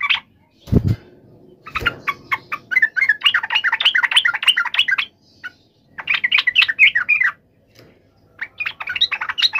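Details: Agitated yellow-vented bulbul giving a fighting call used to provoke a response; bursts of rapid, bubbly chattering notes separated by pauses, with two dull thumps near the start.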